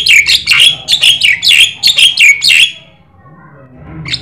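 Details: Black-winged starling, white-eyed form, singing energetically as a lure and master song for training other birds: a burst of about eight harsh, chattering, downslurred notes in quick succession, then a quiet pause with one faint note at the end.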